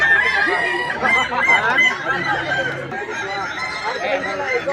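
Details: Kukuak Balenggek roosters, a West Sumatran singing chicken breed, compete in a crowing contest with hundreds of spectators. Long, tiered crows with wavering harmonic notes overlap one another above steady crowd chatter and laughter.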